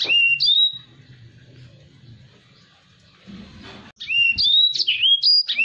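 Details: Black-throated canary singing vigorously, a song used as a tutor for other cage birds: a burst of high whistled, slurred notes, a quiet pause with low hum, then another run of rising and falling whistles.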